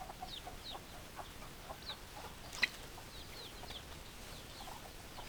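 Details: Domestic chickens with scattered high peeping notes and soft low clucks, one sharp click-like sound standing out midway, against a steady hiss.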